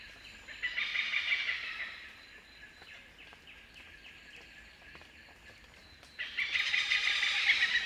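Oriental pied hornbill giving two loud, harsh, cackling bursts, each lasting over a second, separated by a quieter stretch of faint clicking chatter.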